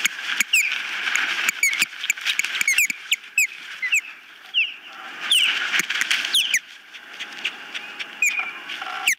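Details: Osprey at a nest watched by a webcam, 19 April 2024, as birds arrive and leave: a rapid series of sharp, high, downward-slurred whistled chirps, many in quick bursts, with clicking and rustling between them.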